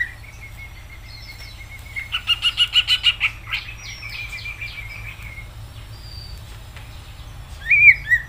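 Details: Greater green leafbird in lively, vigorous song: a long thin whistle, then a fast train of about nine sharp, clicking notes, a softer warbled passage, and a loud slurred whistle at the close.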